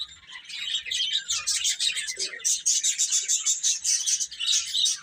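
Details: A group of baby chickens eating and playing; steady shrill peeping forms a dense high twitter, with repeated sharp chirps and a soft low scratch midway.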